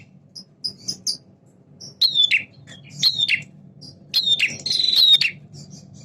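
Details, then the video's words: Lively male prinia singing: clipped high chirps that lead into harsh, buzzy rattling phrases. The phrases repeat about once a second over a steady low hum in the background. "PRENJAK JANTAN GACOR"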